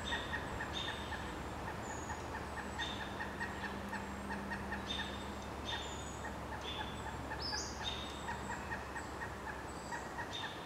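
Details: Pileated woodpecker chicks, a day from fledging, call from a nest about 25 feet up a dead snag in a dense, continuous run of rapid, rough clucking calls, and an adult answers; thin high chirps from other birds and a low steady hum behind.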